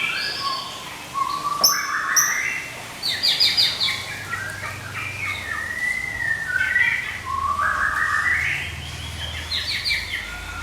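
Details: Medan white-rumped shama used for lure and song tutoring, giving spaced phrases: sharp high chips, short buzzy trills and slurred rising whistles separated by brief pauses, with faint low background hum.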